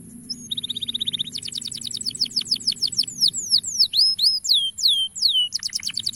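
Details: Male canary song used to draw young canaries into singing: a short flat whistle, a rapid buzzy trill, then a series of falling and hooked whistled sweeps at high pitch.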